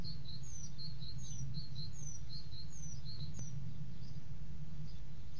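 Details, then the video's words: A male common starling at a nest box at 08:30 on 30 March 2017 gives thin, high descending whistles about once a second, mixed with soft twittering notes, over a steady low rumble. "Spreeuw2 M. lokt (nieuwe)V."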